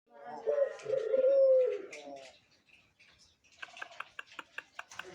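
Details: Caged mature dove, a bird ready to serve as a master, giving a low drawn-out coo that holds one pitch, followed by a series of sharp clicking taps and voices in a small room.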